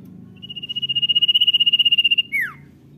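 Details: Common iora singing in the busy "gacor" manner, "dor nyiul" style: a long, high, pulsed whistle swells in loudness for about two seconds and then ends in a sharp downward slur, over a low steady hum.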